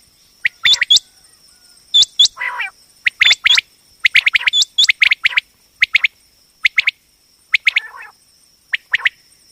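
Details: Female common quail, the batair call used for hunting and trapping quail: bright rising chirps in tight groups, a few raspy bursts between them, and a faint continuous high whine.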